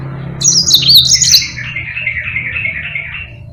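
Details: Yellow-fronted canary, a master bird for training others, gives a quick high warbled phrase followed by a lower descending buzzy trill that fades out, with a steady low background hum.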